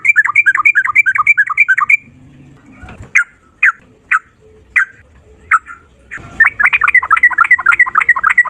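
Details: Sooty-headed bulbul in the ropel style with long single-breath phrases: a quick run of bubbly rising-falling notes, then several spaced single chirps, then another rapid rolling burst.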